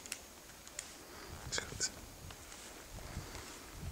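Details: A black woodpecker hacks away at wood with sharp, irregular knocks, a handful over four seconds, against a quiet background with faint rustling.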